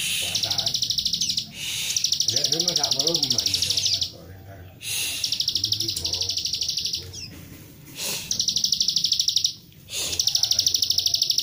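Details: Plain prinia song in the tight, rapid 'nembak rapet' style, used as a lure to make other prinias sing: dense buzzy high notes fired about three per second in bursts of two to three seconds, with pauses and a man talking quietly underneath.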